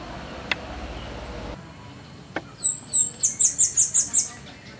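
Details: Fire-breasted flowerpecker singing in the wild: after a click and a pause, nine piercing high notes run in a fast, even, slightly falling series.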